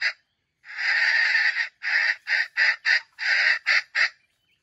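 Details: Loud grinding crow from a red junglefowl serving as trap bait: a brief note, a long harsh phrase, then a stuttering series of short bursts and another long segment.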